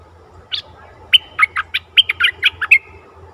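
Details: Caged decoy bulbul singing to lure a very old wild bird, 11 August 2021; one opening note, a pause, then about ten rapid, liquid, bouncing notes in a chattering phrase, with a faint low hum behind.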